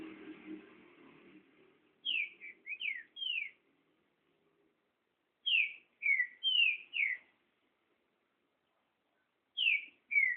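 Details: Trinca-ferro, the green-winged saltator, in espantalho-style song. Short bursts of three to four bright, down-slurred whistles come in separated phrases with long pauses between them. A brief low rumbling noise is heard at the start.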